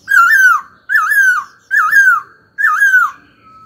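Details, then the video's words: Caged khướu (laughingthrush) singing four long, loud, looping whistled phrases, each wavering down and up, with short pauses between them, roughly one a second. "Khướu hót cực hay, kích bổi hót ngay"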